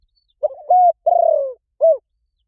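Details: Single spotted dove phrase in the gáy gọi rút bổi calling style: a soft stuttered lead-in, a flat sustained hoot, a long rolling coo that drops in pitch, then one rounded closing note.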